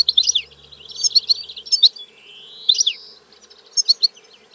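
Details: European goldfinch twittering: clustered high chirps, a long rising drawn-out buzzy note, then a short group of bright notes.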